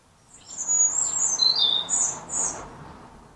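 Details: European goldfinches visiting bird feeders in Ireland, feeding on sunflower hearts; bright, liquid twittering notes high in pitch, a tinkling run of clustered chirps and trills over about two seconds, fairly close and clear.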